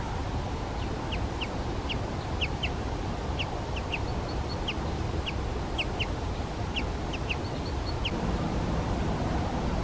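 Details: Great spotted woodpecker (Dendrocopos major) giving sharp, high 'kik' notes, singly or in quick pairs, about twice a second, over a steady low rumble of wind or distant traffic.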